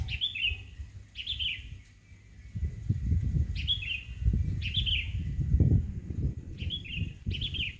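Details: Bird singing in the morning in front of a house: short high twittering phrases repeated about every one to one and a half seconds over steady low rumbling noise.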